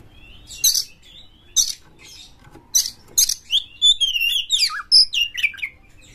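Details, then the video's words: White-rumped shama, a prize-winning singer, in full song with tail spread, used to provoke other shamas: scattered harsh high bursts, then a run of whistled rising and falling notes. "Pancingan Kacer Juara Gacor FullEmosi Buka Ekor KONSLET memancing KACER LAIN"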